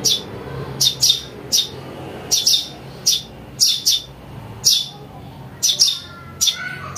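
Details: Young Eurasian tree sparrow calling, a recording used to lure birds and to tutor songbirds. About thirteen piercing high chirps, often in quick pairs, over a quiet low background hum.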